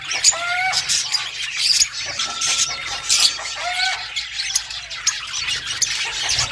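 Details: Parakeets calling: squealing squawks and drawn-out whistled notes among steady high chatter.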